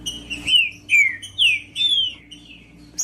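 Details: Green-winged saltator song played to warm up a silent bird: four clear whistled notes, each a sliding descending or arching phrase, spaced about half a second apart.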